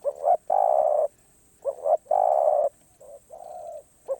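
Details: Spotted dove song of the karom pa roi type: hoarse two-note pickups, then prolonged coos. The third phrase is softer and shorter.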